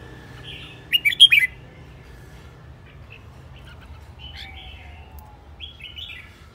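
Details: Red-whiskered bulbul used as a decoy, behaving aggressively and spinning; one crisp, rapid phrase of three or four ringing whistled notes, then softer scattered chirps in near silence.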